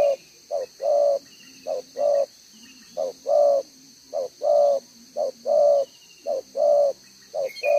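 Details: Wild spotted dove cooing in the Vietnamese one-ending style, sought by decoy trappers; a male bird with a double-row necklace pattern. Low hollow coos come as a short note then a longer one, repeated steadily, with a high insect hum and faint chirps behind.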